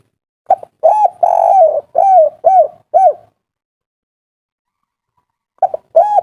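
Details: Spotted dove, 'kuk 3' local style, giving an agitated call meant to draw replies from other doves. Six quick coos, including one long rolling note, within three seconds. After a silent gap, a new phrase begins.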